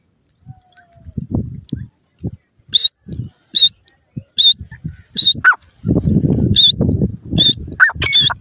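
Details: Female grey francolin calling: short, sharp, high whistled notes repeated about every second, with a few lower downslurred notes near the end, over low thumps and rustling noise.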